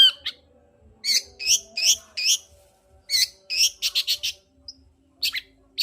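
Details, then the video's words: Long-tailed shrike singing to goad a lazy shrike into song: hoarse, two-part chattering notes in quick groups, then a fast stuttering series and a couple of isolated bursts near the end. "Pancingan Cendet Gacor Untuk Menaikkan Emosi Cendet Malas Bunyi"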